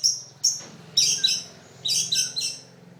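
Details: Long-tailed shrike singing: high, sharp chirps and short buzzy notes in small clusters, some doubled, with brief pauses between groups and a faint low hum beneath.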